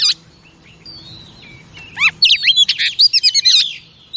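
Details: Female oriental magpie-robin singing to stimulate male pet birds: a few thin high whistles over quiet background, then a rapid burst of sweet, varied whistled and chattering notes in the final two seconds.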